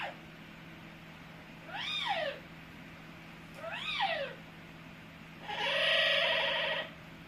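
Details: Pet Amazon parrot making funny noises: two arching, meow-like whining notes rising then falling, followed by a longer harsh rasping squawk, with a steady electrical hum beneath.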